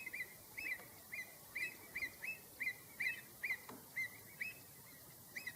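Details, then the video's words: Avocet calling while driving other birds away: a series of short, clear, fluty notes around the same pitch, repeated more than twice a second with slightly uneven spacing, over faint background noise. "avocet does not like other birds around"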